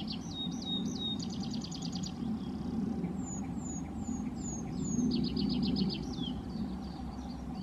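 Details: Yellowhammer singing: quick runs of repeated thin, dry notes, one burst near the start and another midway, mixed with sharp, downslurred high whistles from another bird and a steady low traffic rumble underneath.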